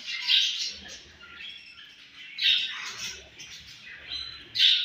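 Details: Young home-bred budgerigars calling in short harsh chirping bursts, several loud squawks spaced a couple of seconds apart between softer chatter.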